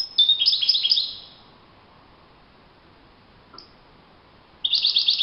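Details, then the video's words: A European goldfinch sings in the wild: a quick phrase of high, tinkling twitters, then a long quiet gap with one faint chirp, before another rapid trilled burst begins. "chant chardonneret le Roi de la nature"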